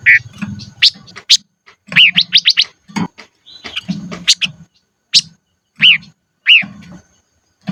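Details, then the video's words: Silver-eared mesia, a decoy bird singing in the highlands: bright whistled notes sweeping down in pitch, quick runs of rising chirps and sharp high upslurs, broken by short pauses; a low hum runs beneath. "Chim Ngũ Sắc Mồi Hót Trên Vùng Cao Toj Siab Suab Noog Tsheeb Quaj"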